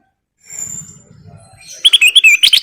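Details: Energetic sooty-headed bulbul lure song: after a quiet start, a quick series of loud, bouncy whistled chirps rising and falling in fast succession.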